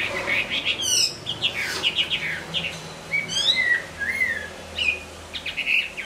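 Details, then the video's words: Moulting hwamei singing broken phrases: scattered chirps, quick buzzy trills and a few clear upslurred whistles separated by short gaps. "Hoạ mi hót khi đang thay lông"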